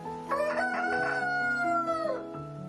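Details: Domestic chicken rooster on a farm gives a single long crow. It starts with a few rough notes, then becomes a sustained, slightly rising and then falling cry that lasts nearly two seconds, over steady background music.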